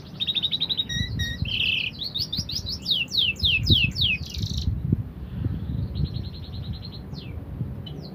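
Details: Canary song: a brief rattling trill, rapid down-slurred notes, then a pause before a softer trilled phrase and a few separate chirps over low background rumble.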